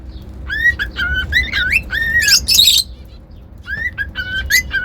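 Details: Cockatiels produce pure whistled notes, a few sweeping upward, then a burst of loud scratchy squawking before the whistles resume, over a soft low hum.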